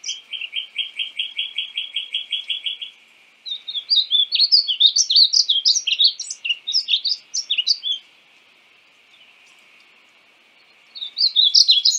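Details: Painted bunting: a steady trill of about fifteen identical short notes, then a long run of rapid, sweet, high warbling phrases, silence, and another warbled burst at the end.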